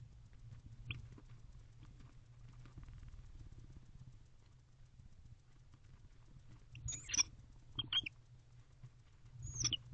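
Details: Male barn owl inside a nest box at 11:44 pm on 23 October 2023, calling loudly to his bonded female, who then joins him during the courtship season; short, harsh, hissing screeches come in bursts near the end over a soft low rumble.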